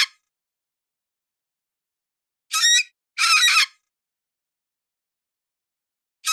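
A cockatoo gives two harsh, raspy squawks in quick succession, each about half a second long, with clipped squawks at the start and end. Nothing else is heard.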